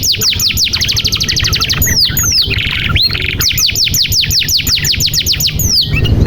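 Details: Full-throated canary song played to get quiet canaries singing: long rapid trills of crisp descending chirps, broken by a few slower swooping whistles, then resuming at the same quick pace over a soft low background hum.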